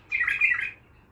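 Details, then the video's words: Bulbul, an untrained Baghdadi-style bird, utters a single harsh, squawky note lasting about half a second, loud and close. "بلبل طور بغدادي خام"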